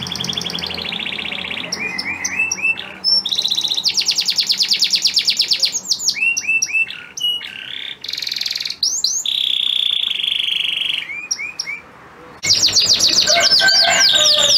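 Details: Male canary, a breeding bird, in song meant to prompt a female in breeding condition to mate, alternating buzzy rattling tours, sustained trills and sharp chirps, with abrupt breaks between phrases and an indoor feel.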